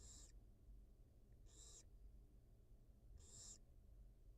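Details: Two newly hatched nestlings fed by their wild barn owl mother on a live camera; three brief, sharp hisses spaced over four seconds, with low hum beneath.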